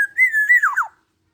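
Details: Single clear phrase from a 21-year-old black-naped oriole in full song, good for training other birds: a smooth fluty whistle that holds level, wavers twice, then breaks into two quick downward slurs.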